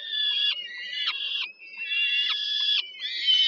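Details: Peregrine falcon chicks at the Żerań thermal power plant in Warsaw, Poland, on 15 July 2022, begging at the evening meal as their mother feeds them: harsh, wailing, harmonic cries in long half-second bursts that run almost without pause.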